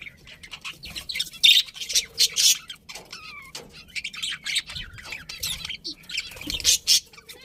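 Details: Budgerigars give rough chirps and squeaky squawks in uneven bursts, with a few clearer whistled notes mixed into the steady chatter.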